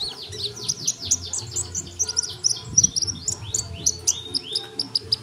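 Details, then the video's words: Lively sunbird song from a tutor recording for songbird training: a dense, nonstop tumble of high twittering notes and fast downward slurs with bright accented chirps, over a soft low hum. "masteran burung kolibri super gacor"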